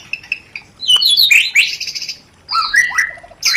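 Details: White-rumped shama in rencetan song to spark breeding drive and quick mating: soft repeated notes, then sharp buzzy flourishes and downward-slurred whistles between short pauses.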